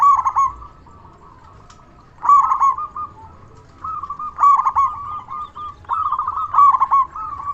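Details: Vigorous local zebra dove with a big voice, played to draw responses from other doves, delivers four bursts of rapid stuttering coos joined by steady humming tones.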